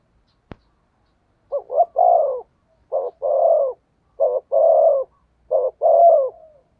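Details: Decoy spotted dove cooing to provoke and attract wild doves. It gives four repeated phrases, each a quick pair of short notes followed by a long, low, slightly falling coo, one phrase about every 1.3 seconds. A faint click sounds at the start.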